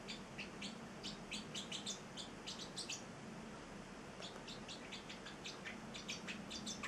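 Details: Celestial parrotlet, an eight-week-old male kept as a pet, giving a run of soft, high, rapid chirps in bursts with a brief pause midway, against faint indoor background noise.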